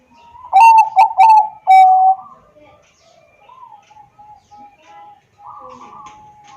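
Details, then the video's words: Bangkok-type zebra dove singing as a lure to prompt lazy doves to sing, phone-recorded in Wiradesa, Pekalongan, Central Java: three quick stuttering coo notes, then one long drawn-out coo, followed by faint soft notes and near quiet. "pancingan perkutut bangkok agar bunyi dan gacor setiap hari"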